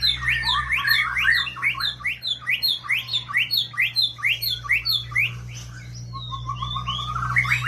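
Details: Oriental magpie-robin giving rapid, bright chirping notes, each sharply upslurred and repeated about twice a second in a lively string, ending in softer warbled notes, over a constant low electrical hum.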